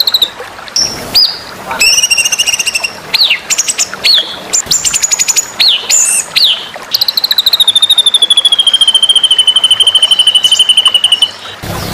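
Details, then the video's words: White-rumped shama, recorded as training material for singing contests, delivering varied loud whistles, upward and downward swoops and clipped phrases separated by short pauses, then closing with a long, even, gradually falling rapid trill. "masteran murai batu"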